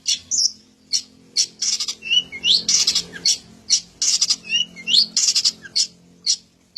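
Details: Long-tailed shrike song with copied phrases: raspy, scratchy bursts alternating with short whistled sweeping notes, irregular in rhythm, over a faint low hum.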